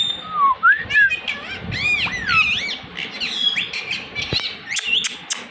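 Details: Speech-mimicking Indian ringneck parakeet producing a string of squeaky, arching syllables and squawks, with a brief wavering whistle at the start and sharp clicks near the end.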